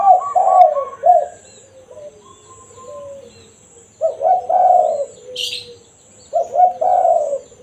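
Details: Spotted dove in its natural voice, 'kuk satu' (one-kuk) style used as a lure for wild doves: low hoarse coo phrases of two short notes and a longer falling note, heard three times, with a brief high chirp between.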